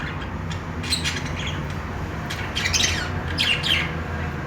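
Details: Budgerigars at play give a few scattered high squeaky chirps in short bursts, sparse and separated by quieter gaps, with a noticeable low rumbling hum throughout.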